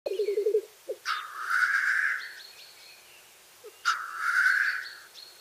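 Black grouse: a brief low bubbling burst, then two loud, harsh, sneezing hisses about three seconds apart; a faint high whistle lingers in the background.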